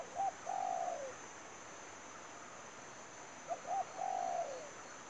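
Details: Spotted dove serving as a trapping lure, giving two cooing phrases, each a short double note then a drawn-out coo that drops at the end, against a constant hiss.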